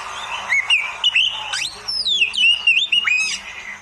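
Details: Oriental magpie-robin (kacer) training song for beginners: a lively sequence of clear whistles, steep upsweeps and long descending slurs, delivered quickly without pause.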